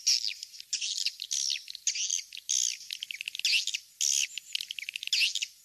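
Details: King's Star lure sound of swiftlets, meant for nest houses. Loud twittering phrases with downward-sweeping notes come in bursts roughly every half second, separated by rapid stuttering chips.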